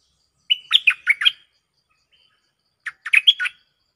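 Cream-vented bulbul gives two quick bursts of bubbly, liquid notes, each about a second long and separated by a short pause. The background is quiet.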